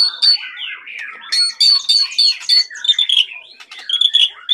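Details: White-rumped shama of the Medan type singing energetically: a dense, chattering stream of high, clear notes repeated about three times a second, mixed with scratchy, buzzy elements.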